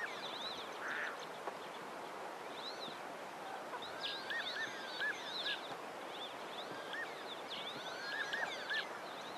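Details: A group of Cape teals swimming on a large pan in late winter gives many thin, high, arched whistles from several birds at once, overlapping in loose bursts over a steady rush of wind or water.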